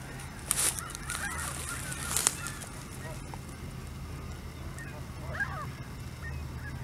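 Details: Canada geese on the lake at Hawreluk Park give two strong, raspy honks early on, followed by softer, farther calls, over a low droning hum.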